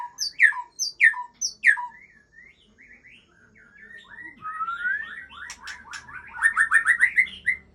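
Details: White-rumped shama, an Aceh bird, sings three loud sweeping downslurred whistles about half a second apart, then a soft, varied warbling run and fast bright repeated notes toward the end.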